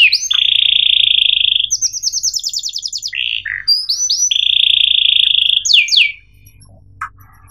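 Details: Canary song in the 'cuit ngerol' style of chirps and rolling trills, used as a lure to teach young canaries to sing: long even buzzy trills separated by quick descending notes and a fast rattling run.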